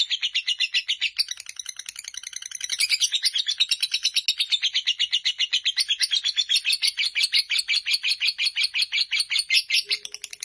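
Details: Fighter lovebird singing its long chatter: a rapid, even stream of high buzzy chips, close to three per second, kept up without a break over ten seconds, loud and steady.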